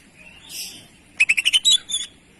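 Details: Greater green leafbird masteran phrase for rousing other birds: a soft high note, a pause, then a rapid string of about eight sharp, chattering whistles.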